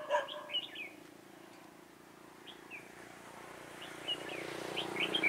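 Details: Red-whiskered bulbul serving as a decoy for trapping, 4 February 2018; a loud harsh note, then faint scattered whistled phrases over steady background hiss, growing more active toward the end.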